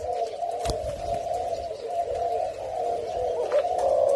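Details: A tame male fancy mutation Spotted Dove (Spilopelia chinensis) in Thailand courting: a low, steady, throaty courtship coo running almost without a break and swelling slightly near the end, with a faint early click.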